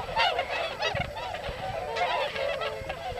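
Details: Tundra swans gathered in winter rice fields of Yasugi, Shimane, Japan, after migrating from Eurasia; bursts of high-pitched, bugle-like honks overlapping from many birds in a constant flock chatter.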